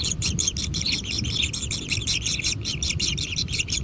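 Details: Intense begging from kingfisher chicks at feeding in a natural nest: a dense, buzzy wash of fast pulsed high notes, nearly continuous and strongly rhythmic, with low background noise.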